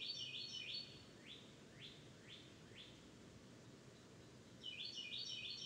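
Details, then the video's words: Florida birdsong: a rapid high chattering phrase, then a series of four rising whistled slurs about half a second apart, and the chattering phrase again at the end, with a low steady hum beneath. "Florida Birds Singing"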